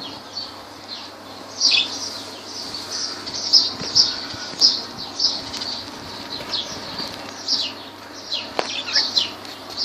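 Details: Lovebirds in Laylan, Kirkuk, keep up a steady run of soft, high chirps, fairly even in spacing, with one sharp click near the end.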